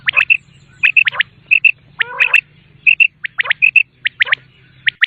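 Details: Common quail repeating its quick three-note phrase, short liquid whistles in tight clusters about every half second to second, over a steady low hum in the background.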